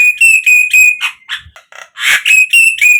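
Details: Javan myna song played to prompt captive birds to sing: loud, piercing, level whistles repeated about every quarter second, broken midway by a few harsh rasping notes before the whistles resume.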